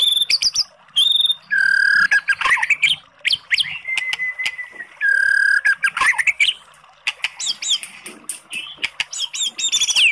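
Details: Oriental magpie-robin song used to goad a low-spirited bird into singing: loud whistled phrases, a long flat whistled note, rich buzzy slurred notes, and rapid crackling chatter with sharp high chips.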